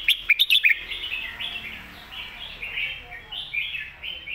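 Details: Red-whiskered bulbul master song used to teach young birds: a burst of sharp, bright chips followed by a continuous run of warbled, slurred phrases that rise and fall, with faint background hiss.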